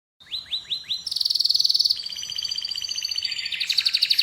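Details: Canary singing: a few quick downward-sweeping whistled notes, then long, fast, buzzy rolled trills that change pitch and speed midway. The song ends in a sharper, rapidly repeated high tour.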